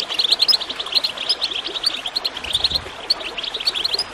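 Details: Goldfinch song mixed with gurgling water, meant to encourage birds to sing. A tumbling stream of quick, liquid high chirps holds steady, with a faint low splash partway through.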